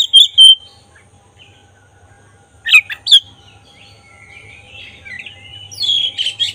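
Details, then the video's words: Black-breasted oriental magpie-robin in lure song for provoking emotion and tail opening: scattered sharp whistled notes and clicks with long gaps, then a softer, quavering whistled phrase near the end. "Suara khas pancingan agar emosi buka ekor burung kacer dada hitam gacor"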